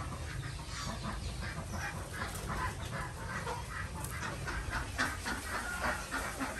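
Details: Desi ducks on a village farm in Andhra Pradesh during morning egg collection; a flock gives rapid, repeated nasal quacks, several per second, over a steady low hum.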